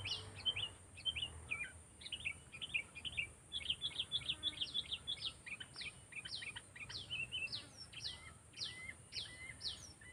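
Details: Sooty-headed bulbul in training for bird luring: a busy stream of sharp, falling chirps and short twittered phrases over ten seconds, slowing toward the end. Faint low rumble and a steady high hiss run underneath.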